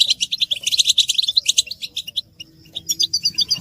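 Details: Group twittering of European goldfinches, used to stimulate silent males to sing, described as mating and readiness calls; rapid high chirps in quick succession, a brief lull, then another run of bright twittering notes.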